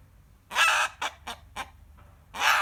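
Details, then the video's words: Rooster screaming on hearing a hen cackling, his usual behaviour: a loud harsh broadband cry, three short sharp notes, a pause, then another loud harsh cry. "Rooster Screaming"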